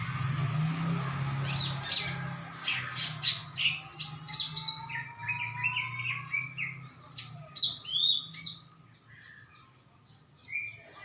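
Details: Greater green leafbird in full song on 21 December 2024, a varied rapid run of sharp chirps, whistled slurs and buzzy notes mostly high-pitched, with a low steady hum beneath during the first half.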